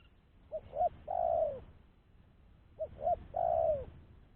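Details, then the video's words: Lure call of a spotted dove, used to attract wild doves for trapping, from a bird described as no longer afraid: two complete phrases, each of two brief hoots and a drawn-out, gently descending coo, with a pause between. "Suara Burung Tekukur-Pancingan Suara Tekukur Bersih"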